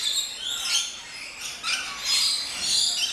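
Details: Flock of rainbow lorikeets in a walk-through aviary at an orchid farm in Luttelgeest, Netherlands: dense, high shrieking chatter with rapid overlapping squeaks and short harsh bursts.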